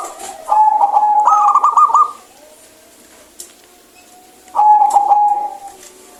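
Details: Local zebra dove singing actively with a clear voice, offered as a remedy for birds reluctant to sing: a long steady coo breaking into a rapid rolling trill, a pause, then another drawn-out coo; high ticks and background hiss.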